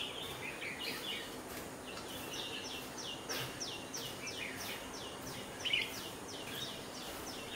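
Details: A colony of red-whiskered bulbuls, which eat khichadi (rice), gives short, bright, downslurred chirps overlapping in quick bursts over a steady outdoor background hiss.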